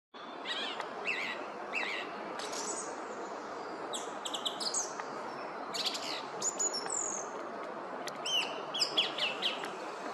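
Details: Song thrush (Turdus philomelos) singing in a wood in Oostvlietpolder, Netherlands, 24 February 2021: loud, varied whistled and chattering phrases, each repeated two or three times in quick succession, over a steady roar of wind or distant traffic.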